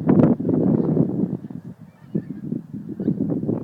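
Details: Geese leaving Montrose Basin to feed on 12 January 2011: a dense chorus of overlapping low honks from many birds, continuous and uneven, dipping briefly in the middle before swelling again.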